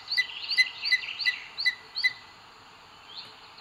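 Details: Booted eagle at the nest in Sierra de Guadarrama Natural Park, Spain, 2 June 2022, during the male's food delivery to the female. Captured by a live camera. Six loud, sharp, high notes in two seconds, then near quiet with one faint note.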